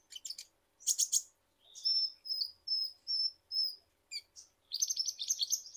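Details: Ninja hummingbird of Indonesia singing in a lure recording: high chirp bursts followed by a row of evenly spaced, clear whistled notes, then a rapid, dense high twittering warble.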